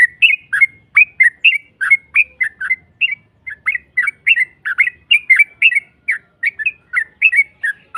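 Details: Rapid 'ropel' song of a yellow-vented bulbul meant to provoke a rival into answering: even, chattering bursts of liquid, down-slurred whistles, about three per second, sustained for eight seconds.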